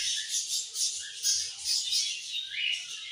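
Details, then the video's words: Evening song of a group of budgerigars: a steady wash of fine high chirps, squeaks and warbles, slightly softer, rising and falling gently in waves. "𝑩𝒆𝒂𝒖𝒕𝒊𝒇𝒖𝒍 𝑩𝒖𝒅𝒈𝒊𝒆𝒔 𝑺𝒊𝒏𝒈𝒊𝒏𝒈 𝑺𝒐𝒖𝒏𝒅𝒔 𝑰𝒏 𝑻𝒉𝒆 𝑬𝒗𝒆𝒏𝒊𝒏𝒈"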